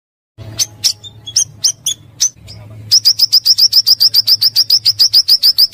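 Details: Pancawarna bird, a recording for luring and song tutoring: a few scattered high chirps over a steady low hum, then a fast, even series of sharp whistled notes about three or four per second.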